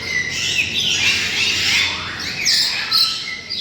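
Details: A crowded chorus of parrots of many species from around the world, caged in covered enclosures at Tehran Bird Garden. Shrill, screechy squawks and bright chirps overlap continuously, with several piercing high notes standing out.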